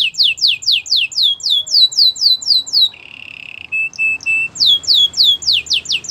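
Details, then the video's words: Belgian canary training song: repeated loud downward-sweeping whistles around four a second, a short low rattle and thin steady whistles, then the falling whistles resume. "Canary singing for training | Belgian canary"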